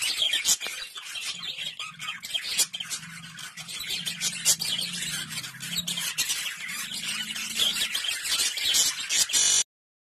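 Budgerigars chirp and chatter in a dense, high, scratchy flock chorus.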